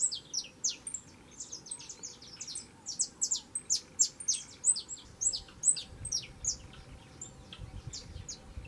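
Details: Lively song of a young saffron finch singing a lot: rapid, bright, high chirps and slurred notes tumble out in an unbroken chatter, with some low rumbling noise in the second half.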